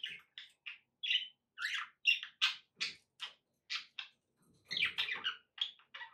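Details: Rapid, steady budgerigar chirps, about three each second, mix with squeaky warbles, then swell into a busier, overlapping chatter.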